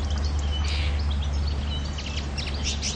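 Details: Common linnet recorded on the island of Pantelleria on 9 January 2011, giving quick, high twittering chirps and short buzzy notes in bursts, loudest near the end, over a steady deep rumbling hum.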